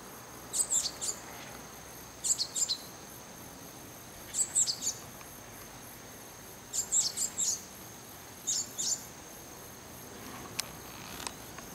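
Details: A Japanese tit, perched in a tree and eating something, gives short, high, thin phrases of two or three quick notes, repeated about every two seconds, over a steady insect-like hum.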